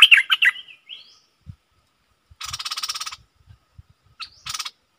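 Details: Caged stripe-throated bulbul recorded 7 June 2021: a quick burst of bubbly, warbled notes around the upper-middle range opens, then two harsh, buzzy rattling bursts follow after a pause, with a short rising whistle between.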